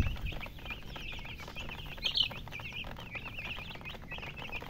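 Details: Several chicks peeping continuously, many overlapping high, short cheeps repeated rapidly, with one louder sharp chirp about halfway through over a soft background hum.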